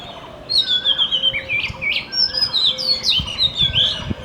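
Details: Morning song of a magpie-robin, melodious and chiming: bright whistled notes and slurred phrases follow one another almost without pause, with a lower, softer whistle faintly behind and a few low thumps.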